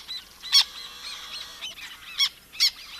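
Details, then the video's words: Black Tern giving three short, harsh, squeaky squawks, high and nasal, like a swallowed dog squeaky toy, with faint chatter from other birds behind; such calls often come from small flocks foraging briefly over a wetland. "So, they have kind of harsh squawks. And to me, it sounds like maybe they've swallowed a dog squeaky toy."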